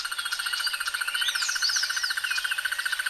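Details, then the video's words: Crested barbet calling with a steady, rapid, mechanical-sounding trill of evenly spaced pulses, while other birds whistle and chirp at higher pitch around it. "The sounds of Crested barbets"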